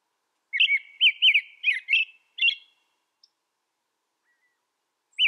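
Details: American robin song of five quick, liquid whistled phrases rising and falling, followed by a long silence and one more whistled note at the end.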